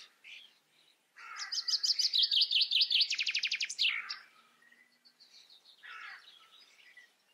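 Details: Common starling recorded in the Eifel, Germany, producing a rapid train of repeated clicking notes that shifts into a dense rattle, then fades into softer chattering phrases.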